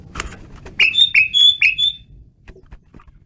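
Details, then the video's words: Asian pied starling in full song, four bright, upward-swooping whistles in quick succession, each ending on a steady tone, then quieter scattered ticks. "jalak suren menggila"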